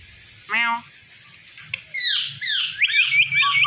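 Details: Indian ringneck parakeet vocalizing: one harmonic word-like utterance, then a run of loud, high, rasping squawks and chattering notes tumbling quickly together.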